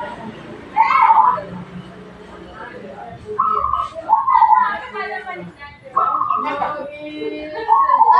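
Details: Local zebra dove in full song: several brief mid-pitched coos in separate bursts, against faint background voices.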